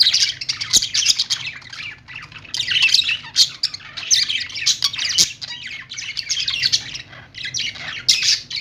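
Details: Morning budgerigar chatter: overlapping high chirps, scratchy squawks and warbled notes running almost without pause, with occasional sharp clicks and a faint low hum in the background.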